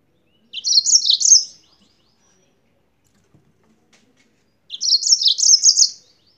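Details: Two matching phrases from a yellow-fronted canary out of Spain, each about a second of quick, tightly packed high chirps, repeated after roughly three seconds of silence.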